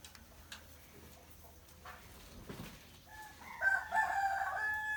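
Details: Rooster crowing in the morning: after three seconds of quiet background with faint distant sounds, a loud harsh crow with stacked tones breaks in and is held for over a second.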